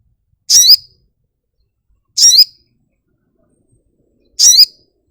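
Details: Sogok ontong (little spiderhunter) gives three identical short, shrill, high chirps, each ending in a falling slur, spaced about two seconds apart with silence between.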